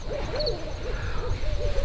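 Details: Two barred owls duel on a farm at grape-harvest time, trading short, arched, mid-pitched hoots at an uneven quick pace, the notes overlapping as they answer each other, over a steady low rumble.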